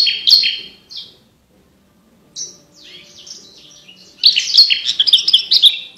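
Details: Javan bush lark song for teaching competition birds: a couple of bright opening phrases, a pause, scattered high twitters, then a dense, fast stream of chattering, whistled notes.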